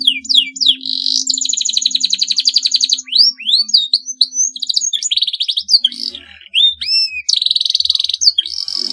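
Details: Long song of a canary, said to push rivals into joining in: high rolling trills alternating with sweeping up- and down-slurred whistles and buzzy rattles, with a faint steady low hum underneath.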